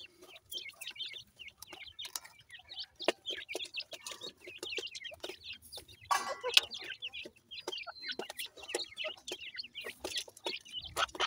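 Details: Several teetar francolin chicks give steady bursts of shrill, high peeps, each note quick and slightly wavering, repeated in an unbroken chatter with brief sharp taps between calls.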